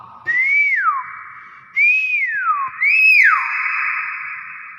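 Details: Common hill myna in its own natural voice, repeating three loud clear whistles. Each one swoops up and then glides down, and they come about a second and a half apart in a quiet room.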